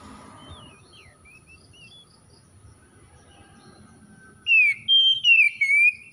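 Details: Untrained Oriental magpie-robin (kacer bahan) reacting at once with gacor singing: faint thin whistles, then a loud burst of clear, sliding whistled notes near the end, grouped in short bright phrases, with a low background hum.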